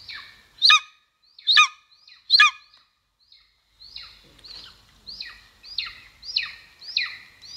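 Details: Golden eagle at its nest in Estonia, from a 2022 live nest camera; three loud, piercing yelps, then a steady series of softer downslurred whistled notes roughly every half second.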